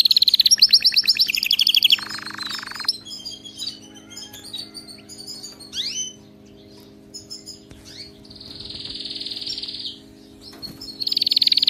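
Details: Canary song for training pet canaries: opening rapid trill and a buzzy low roll, a quieter stretch of scattered chirps and swoops, then a long sustained buzzy tour and a final loud trill.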